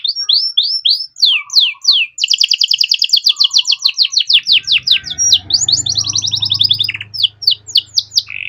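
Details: Canary master song in a rich style for training songbirds: quick rising chirps, then a long rapid rolling trill and more sweeping notes, with a low steady hum in the second half.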